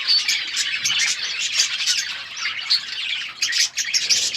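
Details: Budgerigars in an outdoor aviary chirping as a flock: dense, overlapping high warbles and squawky chirps run continuously, with short bright notes breaking through and no pauses.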